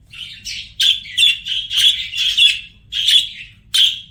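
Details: Budgerigar singing: a run of short chirpy notes around a steady high pitch, about eight bursts in four seconds, some with sharp clicky edges, with quiet gaps between phrases.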